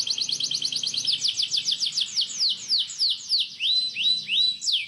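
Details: Long canary song played to teach young birds: quick repeated downslurred notes that slow into wider, looping sweeps, pattern shifting every second or so, with steady fast rhythm throughout.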